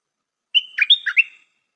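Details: A decoy Stripe-throated bulbul opens with a sustained whistle, then runs into four rich, gurgling notes that dip and rise, forming a tidy phrase under a second long.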